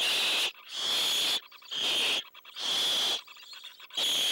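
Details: Owlets waiting for prey to be delivered, with an adult giving long loud defensive hisses; four or five broad rasping hiss bursts, each about half a second to a second long, separated by short gaps with faint tonal chatter.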